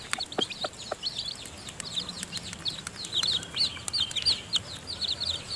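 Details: Chicken chicks, newly hatched and still in the nest with the hen feeding them, peep busily in high, sliding notes that grow denser toward the end; faint soft clucks at the start.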